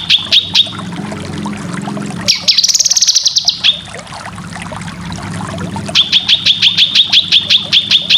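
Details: Cucak kinoy song to train competition birds: quick chip notes, a harsh buzzy trill, then another run of evenly repeated sharp chips, with a low hum throughout.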